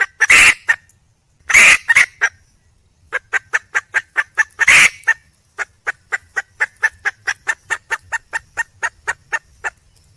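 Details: Wild red junglefowl hen calling to attract a male: three harsh, loud squawks, then a long, even run of quick clucks, about four per second.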